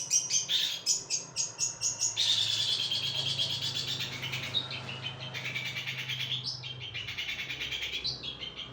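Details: Long-tailed shrike giving a high, harsh, continuous chattering run of rapid scratchy notes, with a low steady hum underneath throughout.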